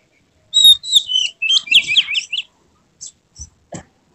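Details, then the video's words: White-rumped shama in emotional display with tail spread, giving a short burst of rapid slurred whistles and harsh high notes, then a few isolated clicks and chips after a pause. "Kacer mana yang tak mau respons dengar kacer ini | buka ekor bongkar isian penuh gaya emosi"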